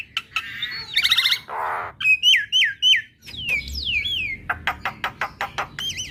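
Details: Female Javan myna song that makes other mynas respond right away: a buzzy chatter, a grating rasp, then four sharp hooked whistles, a falling slur and a run of quick clicks.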